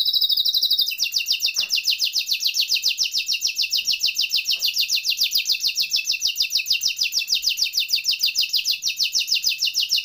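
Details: Canary in rolling song for tutoring or prompting canaries that stopped singing: a short opening trill, then a long, fast, very even high roll held for nearly ten seconds.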